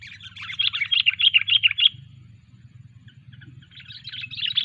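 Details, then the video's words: Sooty-headed bulbul being trained, giving a rapid run of bright, high chirped notes for about two seconds, a pause, then a softer chattering burst, over a steady low hum. "Ngelatih burung kutilang Cengkram"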